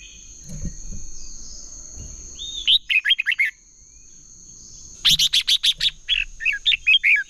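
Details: Red-whiskered bulbul singing competitively to stimulate other birds: a short warbled phrase, then a longer, louder burst of rapid piercing whistles and chirps, with a low rumble early on and a steady high whine.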